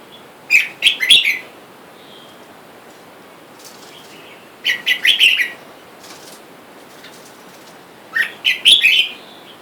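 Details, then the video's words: Red-whiskered bulbuls: a wild-caught male and female kept in a cage, with wild birds outside calling for a mate. Three bursts of bright, warbling whistled notes arrive about every four seconds. Faint rustling sits between the bursts. "แอบดูนกกรงหัวจุกป่า ผู้ เมีย ในกรง และเสียงนกป่าเรียกคู่อยุ่ด้านนอก"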